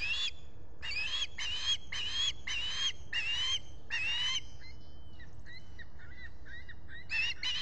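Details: Osprey at its Finger Lakes, US nest, 23 July 2021, visitor present, solar camera recording: a run of seven strong whistled chirps, then softer, thinner notes trailing off before a final loud chirp.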